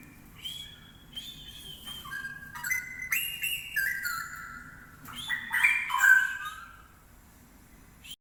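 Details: Straw-headed bulbul, locally called cucak rowo, with a loud, ringing voice. It sings rich whistled, warbling phrases that slide up and down, peaking in bursts near three and six seconds, over a faint steady low hum.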